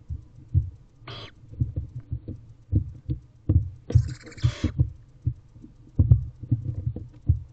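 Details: Young barn owls sharing a nest box around midday on 5/9/23 give two breathy, rasping hisses, the second longer, while steady dull thumps and scuffling from the owlets moving about fill the background.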